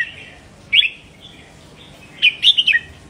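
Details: A short burst of red-whiskered bulbul song for stimulating caged birds. One clear slurred whistle is followed after a gap by a quick tumbling phrase of four or five bright notes.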